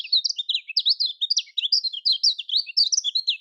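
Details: Kecial kuning, Lombok-style lure song meant to prompt silent birds to answer: a continuous, fast, high twittering of sliding chirps and short trills, packed closely together without pause.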